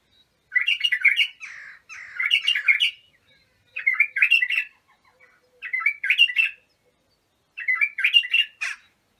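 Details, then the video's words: Song of an Iraqi bulbul (abu shuaib), played for training young bulbuls: five bubbly warbled phrases, each about a second long, separated by pauses of roughly a second, with no other sounds. "تغريد بلابل ابو شعيب لتخريج البلابل"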